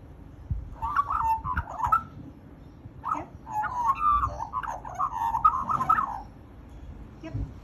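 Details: Chatting magpie: bursts of mid-pitched warbling, fluty whistles and chattering notes in two bouts over several seconds, separated by a brief pause, over a low background rumble.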